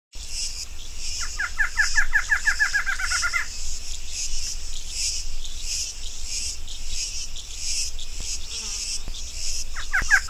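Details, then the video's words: Female barred antshrike giving a rapid series of nasal, hooked notes. The notes speed up over about two seconds and then stop. A steady, high insect buzz continues throughout, and a second short series begins near the end. "BARRED ANTSHRIKE female, sounds"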